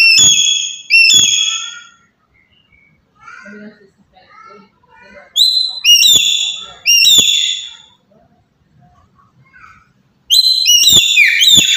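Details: Loud calls of a black-capped lory from Papua, used as a lure to set other birds calling: bursts of two or three bright, strident notes separated by quiet gaps with faint low chatter.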